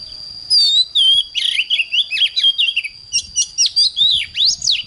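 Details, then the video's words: Oriental magpie-robin in full morning song, a dense, fast series of varied whistled and buzzy notes, many sharply rising or falling, nearly continuous for almost five seconds over a steady high whine. "Chích choè than hót sáng"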